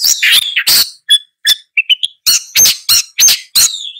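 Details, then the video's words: Long-tailed shrike song made of harsh, grating squawks alternating with short pure whistled notes and a few rising chirps, delivered in quick succession. "Long-tailed Shrike Bird Song, Sound, Call, Chirp, Melody"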